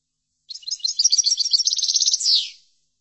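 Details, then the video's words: Goldfinch song meant for tutoring goldfinches: a two-second burst of quick, chattering high notes repeated almost four times a second, closing with a drawn-out buzzy falling note, then silence. "لتحفيض الحسون chordonier"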